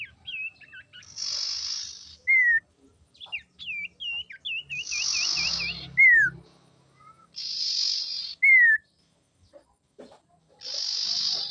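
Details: Female common iora song for luring and provoking males: four buzzy high rattles about every three seconds, separated by loud downslurred whistles and looping, wavering whistled phrases.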